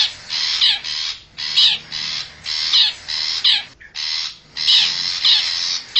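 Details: Wild long-tailed shrike of the forest, lure call meant to attract wild birds: paired harsh, crow-like rasping bursts separated by brief silences, each burst hoarse and broad.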